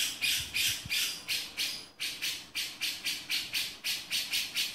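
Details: Male grey-cheeked bulbul delivering 'beset' song: loud, scratchy bursts of raspy notes, close to four per second, continuing steadily with one short pause.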